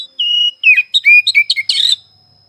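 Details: Oriental magpie-robin, heard morning, afternoon and night: a steady level whistle, then a tumbling series of short whistled notes ending in a harsh, buzzy rasp, with a faint constant high tone throughout.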